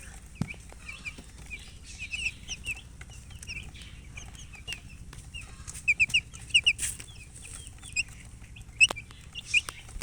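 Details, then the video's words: Chicken chicks chirping: short, high, downward-slurred peeps come in scattered bursts, thickening into quick clusters midway, with soft rustling and clicks between them. "Baby "Chicks Chirping" Sound"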